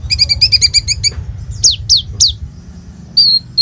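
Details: Olive-backed sunbird (kolibri ninja) in full song used to prompt young birds to sing, phone-recorded; fast buzzy rattling trill, then three piercing downward-slurred whistles and a short level note, low rumbling background.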